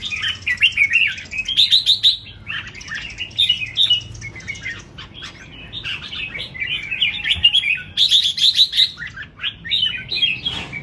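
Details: Red-whiskered bulbul singing: lively, warbled phrases of bubbling, slurred whistles, repeated in rising and falling bursts with short gaps between them.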